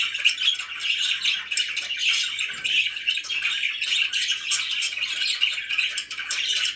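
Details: Pet budgerigars indoors, kept as a relaxing scene, chattering in a dense, continuous warble of scratchy chirps and squawks with no pauses.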